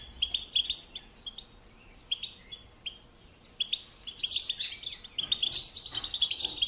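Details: European goldfinch singing as a model for young birds: sparse separate high chirps at first, then a fuller burst of bright twittering and liquid trills in the closing seconds.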